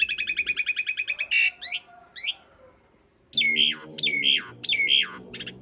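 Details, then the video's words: Asian pied starling, long-roll master for cage birds: a quick buzzy rattle, a harsh burst and two upslurred whistles, then a string of loud squawking notes that rise and fall. "Suara masteran jalak suren isian kasar roll panjang"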